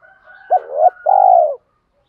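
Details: Cooing spotted dove, male and female birds, used to prompt training birds to coo: a brief sharp note, a rising coo, then a long steady falling coo, then silence.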